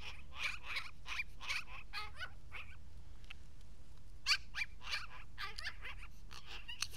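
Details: Indoors at an Aspen day center, a talkative magpie rattles off clustered harsh chatters and wavering squeaky notes, with a brief pause mid-way before more rapid jabbering, over constant low background rumble.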